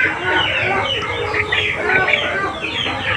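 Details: Chickens cluck and cackle in a dense, overlapping chorus of short, mid-pitched calls from inside the house at about 9–9:30 in the morning, not yet let out, while a man talks; a white rooster has been released first.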